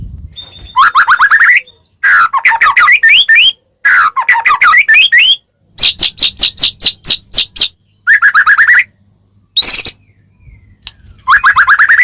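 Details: White-rumped shama singing a varied, loud song played so other shamas reply: bursts of rapid rising trills and warbles, a run of evenly spaced sharp clicking notes, and short high whistled flourishes between brief pauses.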